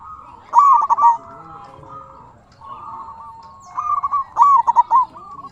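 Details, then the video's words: Prolific local zebra dove singing, used as a lure to get other doves calling back; two bursts of fast, trilled cooing notes at a steady mid pitch, separated by softer rolling coos. "Suara burung perkutut sangat istimewa 100% auto nyaut"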